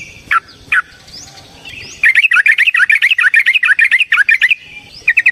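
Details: Trucukan, the Yellow-vented bulbul, in a long rapid fighting song used as a lure: two sharp chirps, then an unbroken fast chattering trill of paired bubbly notes for over two seconds, ending in quick chirps.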